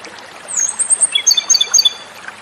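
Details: Japanese robin (komadori) song: a high thin whistle near the top of the range opens, then a rapid series of bright descending notes repeated about five times, over faint background hiss.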